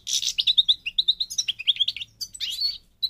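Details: Parva Morocco goldfinch from North Africa singing a lively sequence of clear, liquid chirps about two or three per second, then a scratchy buzzy flourish and a final bright note.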